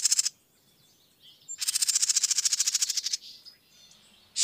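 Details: Dark-eyed junco song used as a master recording for training caged birds: a fast, even trill of about twenty high, dry pulses lasting roughly one and a half seconds, framed by brief buzzy notes before and after.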